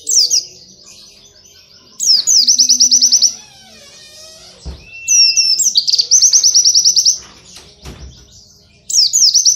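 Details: Training song for cage white-eyes, canary-style. Repeated phrases of quick, high, clipped trills recur every few seconds, with chattering notes and a thin level whistle between them. A couple of low thumps are audible.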